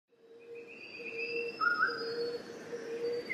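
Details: A little shrikethrush (Colluricincla megarhyncha) sings clear, drawn-out whistles, a low steady note beneath higher sustained tones and a brief mid-pitched flourish, over faint background hiss.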